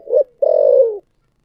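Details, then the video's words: Spotted dove, 'thổ sấm' voice, giving a short low note and then one long, steady coo that trails off downward. Quiet background. "chim cu gáy giọng thổ sấm chuẩn nhất"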